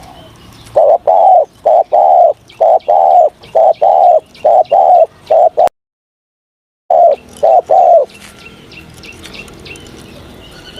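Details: Morning voice training of a spotted dove, with rhythmic low coos in short-long groups for several seconds, a brief silent break, a few more coos, then fading chirps from other birds.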